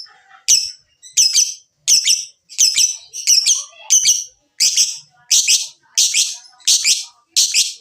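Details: Lovebird used as a singing lure: harsh, high, scratchy squawks repeated steadily about every seven-tenths of a second, eleven in all, each with a short buzzy tail.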